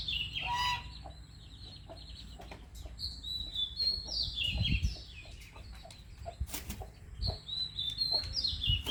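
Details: White-rumped shama singing: varied clear whistled phrases, some sliding and warbled, delivered in short bursts with pauses, over scattered clicks, a few thumps and low background noise.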